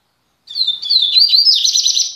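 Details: Double-collared seedeater (coleiro), singing again after three months, gives a fast, high twittering song, a run of sweet whistled notes sliding into a rapid buzzy trill, with no other sounds.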